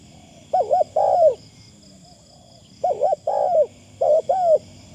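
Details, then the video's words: Spotted dove decoy calling: three mellow phrases of paired hoots and falling coos in quick succession, low hollow tone, with a steady high-pitched hum running throughout. "ต่อนกเขาใหญ่ เสียงดีมากคารมบางๆฟังแล้วเพลิน"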